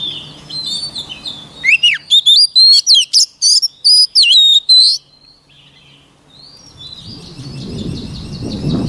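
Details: White-rumped shama song used for voice training: a burst of loud, clear whistled notes, some rising and some sharply falling, delivered quickly for about three seconds, then a quiet pause and softer distant chatter with low rumbling noise.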